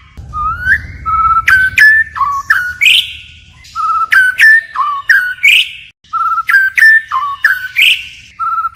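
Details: White-rumped shama forest-style song with constant voice switching: clear whistled phrases repeated in groups, each a flat whistle followed by sharp clicks and a rising burry note, cycling about every two seconds.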